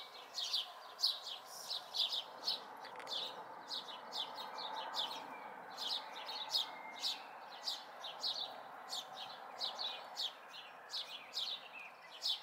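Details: Local young house sparrows out of the nest in May 2020; dense chattering chirps, several overlapping, continuing without pause over soft ambient rumble.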